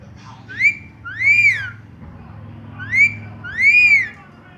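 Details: A male pet Indian ringneck parakeet, looking at himself and talking to a tablet, gives clear, rising-and-falling whistled phrases: a short note then a longer arched one, repeated twice, over a low indoor hum.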